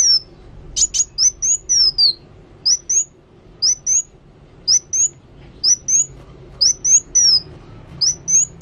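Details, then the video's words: Kolibri wulung sunbird in active song, giving short high sharp whistled phrases, each a quick rising then falling note pair, repeated about every half second over a quiet background. "Kolibri Wulung Gacor"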